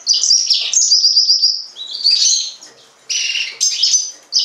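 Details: Yellow-fronted canary, the green singer, giving a bright song: a rapid ticking trill of repeated notes, then rich warbled chirps and buzzy high phrases.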